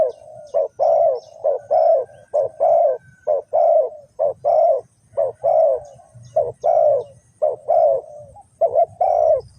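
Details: Spotted dove (cu gáy) from Ninh Thuận, Vietnam, kept as a trapping decoy for wild doves. Calls a long, steady series of rounded, mid-pitched coos, about one per second, grouped in short bursts with brief pauses.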